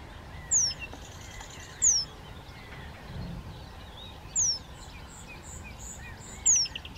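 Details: Eurasian penduline tit young gather food at the edge of Zámecký rybník pond, Chropyně, on 3 July 2019. Four sharp, high, descending whistles come at irregular intervals over steady low background noise.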